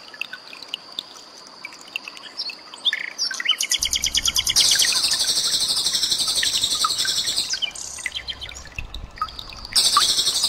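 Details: A common nightingale sings high, varied phrases of rapid repeated trills and sharp whistles, mixed with added rushing, trickling water sounds, as a tutor recording for cage birds.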